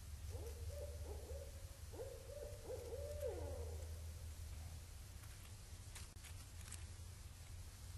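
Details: Barred owls calling at Indian Cave in autumn 2012, raccoons moving about the microphone; a series of hoarse mid-pitched hoots for about four seconds, then only low rumble and faint clicks and rustles.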